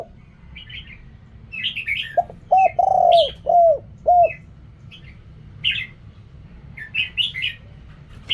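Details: One spotted dove phrase sung in the 'riak kham, khu kham' style: soft hollow coos centred on a drawn-out note, surrounded by frequent sharp, high chirps from other birds before and after.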